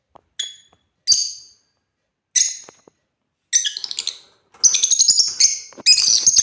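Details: Shrill single chirps from playing African lovebirds build into dense, chattering bursts of piercing squeaky notes, growing louder and busier toward the end.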